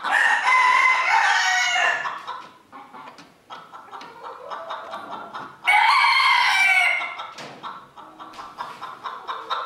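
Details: Rooster in a 2022 crowing contest at Villers-la-Ville, giving two full crows about five seconds apart, each rich and slightly falling at the end, with clucks and low voices between them.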